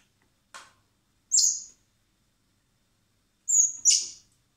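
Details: Blackbird nestlings being hand-fed in spring at a rescue centre before release: a soft click, a high rasping squeak, a pause, then a doubled high squeal-and-rasp begging burst.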